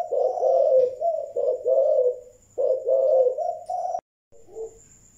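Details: Spotted dove of the Malaysian type giving the thúc gù cooing style: low, mellow rolling coos in quick runs, the last phrase breaking off abruptly, then a softer short coo; a faint steady high whine runs underneath.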